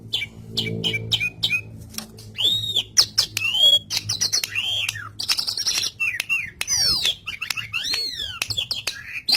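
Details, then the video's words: Jalak suren song meant to coax silent pet starlings into singing: short chirps at first, then looping whistled swoops, clicks and squeaky phrases in a continuous chatter. "Masteran Suara Burung Jalak Suren Gacor"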